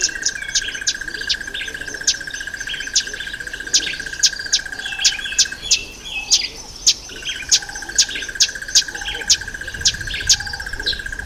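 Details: Red bishop male in breeding plumage during the October–November breeding season; the species nests in reeds over water and holds territories. Rapid sharp ticking chirps and buzzy notes repeat steadily over a constant high-pitched hum.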